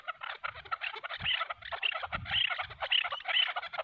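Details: Chukar partridges, decoy against wild mountain bird, fighting; excited harsh chattering clucks in rapid bursts, with soft low thuds of movement underneath.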